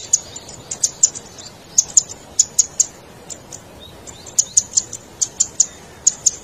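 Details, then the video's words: Zitting cisticola, a red cici padi, calling as lure audio to attract wild birds: clipped high ticking notes in quick pairs and runs, separated by short gaps, over a faint steady hiss. "Suara Burung Cici Padi ll Suara Pikat Cingklong"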